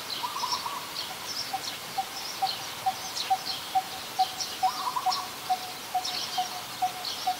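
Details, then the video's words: Coppersmith barbet, very common resident, Ubon Ratchathani, Thailand, 2 January 2021: a run of monotonous tuk notes about twice a second starting after a pause, with two brief trills from another bird and high background chirping. "นกตีทอง : Coppersmith Barbet"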